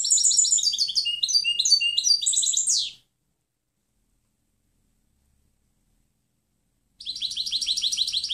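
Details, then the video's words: Clean goldfinch song (jilguero, canto limpio) meant to train other birds: a dense three-second stream of jangling high twitters, silence, then another buzzy, rapidly repeated phrase begins. "Canto del Jilguero Limpio Chant chardonneret"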